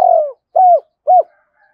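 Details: Spotted dove calling to lure others: a long descending burry coo followed by two separate short, arched hooting notes, evenly spaced, with a faint high whistle afterward.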